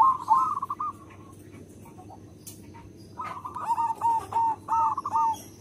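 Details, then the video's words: Local zebra dove with a big voice, used to lure other zebra doves: a quick trill of rolling coos, a pause, then a longer string of bubbly notes, with some background clatter. "Perkutut lokal gacor SUARA BESAR, karakter suara nya bagus untuk pemikat semua perkutut."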